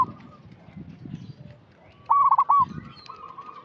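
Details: Local zebra dove, a vigorous caller used as a lure for birds still in training: a single loud rolling, stuttered coo phrase, then a softer level note, over low background rumble.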